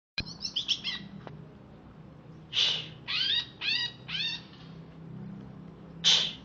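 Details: Caged greater green leafbird of Alas Purwo, Banyuwangi origin, kept in Jatiasih, Bekasi, freshly bathed. A burst of high twittering notes, a pause, then four arched, slurred whistles and a final sharp chip over faint low background hum.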